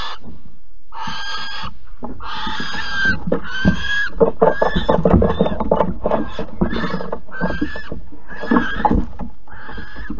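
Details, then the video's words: Barn owls at Alphen, 15 April 2020, around a mouse handover and mating, giving a fast run of short, rough, uneven rasping calls that tumble into one another for ten seconds. "Kerkuil Alphen 2020 04 15 PO muis en paring"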